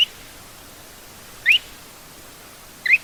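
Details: Lesser sand plover (Charadrius mongolus) call: short, sharp, upward-flicked notes, three about every second and a half, over a soft steady hiss.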